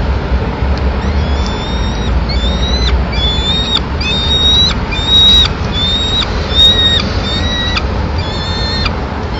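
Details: Peregrine falcon young in Madrid, 19 May 2016, taking pigeon brought by the female. Short, thin, high whistled notes with quick upward hooks, repeated about twice a second in a loose run, above a steady low rumble.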